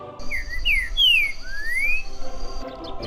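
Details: In Caldas, Minas Gerais, Brazil, a Green-winged saltator (Saltator similis, trinca-ferro) sings a rich phrase of four loud, slurred whistles, rising and falling over about two seconds, against a steady high insect buzz and low rumble.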